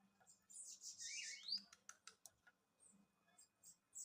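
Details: Bananaquit giving a short buzzy, hissing phrase that ends in a sharp rising slur, followed by scattered dry clicks and faint ticking notes.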